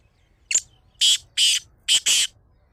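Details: Kala teetar (black francolin) gives a brief sharp introductory note followed by four loud grating, scratchy notes, the final pair nearly joined, against soft low background rumble.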